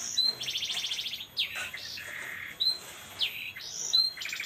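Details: Canary song in a distinctive singing style: high, rapid rattling trills, sweet whistled notes that glide up and down, and short bright chirps, all sung with soft background hiss.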